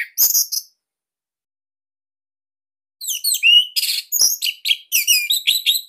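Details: Orange-headed thrush, Bali type, singing a loud, dense song used to stimulate young or silent birds: a short high chirp, a long gap, then fast varied phrases of slurred whistles, downward sweeps and buzzy notes.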